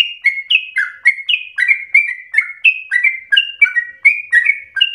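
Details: Sooty-headed bulbul in rapid, persistent, intense song used to provoke other birds into singing and as a tutor recording: short whistled notes around two to three kilohertz, many sliding downward, delivered in a quick uneven stream of paired phrases.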